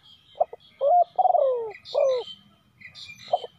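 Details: Spotted dove used as a decoy to call in wild doves, giving short coos followed by longer notes that slur downward, with soft high twittering from other birds between phrases.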